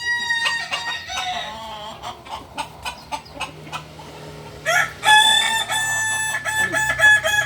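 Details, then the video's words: Kukuak balenggek rooster crowing at a Sunday joint practice session at Ampang Kualo: a long harmonic crow opening, then clicking and knocking, then a second loud, bright crow broken into several linked segments, with background voices. "ayam kukuak balenggek"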